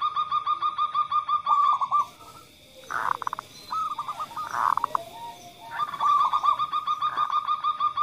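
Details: Local zebra doves, a calling female followed by a male 'kerot' call used to stimulate calling; dense rapid pulsed coo runs overlapping with rougher, hoarse bursts in a busy stretch.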